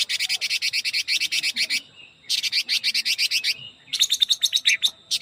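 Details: Rapid 'ché kích bổi' style song from a Chinese hwamei: three long, evenly pulsed trains of harsh high notes, the last one quicker and more ringing, with short quiet gaps between.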